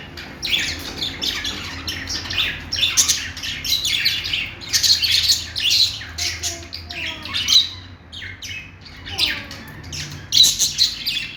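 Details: Budgie song in separate bursts of bright chirps, clicks and gravelly warbles, with a few short whistled slides between phrases.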